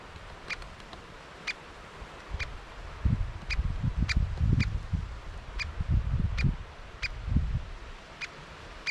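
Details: Great spotted woodpecker and chicks, GoPro footage: a steady series of hard, metallic single notes about every half second, with loud low thumping and rustling noise underneath.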